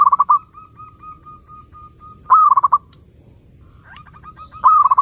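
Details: Zebra dove song for luring other doves. Loud phrases of fast, stuttering coos alternate with long, even runs of soft repeated coo notes, about two seconds apart.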